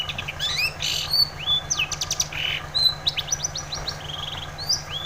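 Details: Long-tailed shrike in lively song, used to prompt a silent shrike to sing: varied whistled slurs, short rising and falling notes and quick buzzy clicks at high pitch, with a steady low hum underneath.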